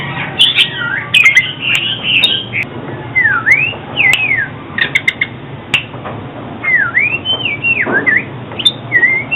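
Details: Oriental magpie-robin song used for trapping and practice: sharp chips, then clear swooping whistles that dip and rise, spaced by short pauses, ending in a quick wavering phrase.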